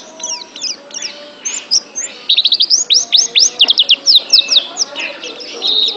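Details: Oriental white-eye, a pet bird, in a training recording: rapid high chirping song of thin whistled notes, then a run of quick upswept slurs repeated about twice a second, with faint low hum behind.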